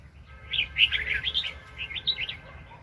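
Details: Red-whiskered bulbul recorded at a 2020 trapping session, a very spirited wild bird: a fast, lively run of chirpy warbled notes, rising and falling in quick succession for about two seconds, with a faint low hum beneath.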